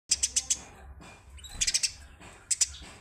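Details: Eurasian tree sparrow song used as a master recording for training songbirds' voices: three bursts of very high, sharp chirps, four quick notes, then four more, then two, over a faint low hum.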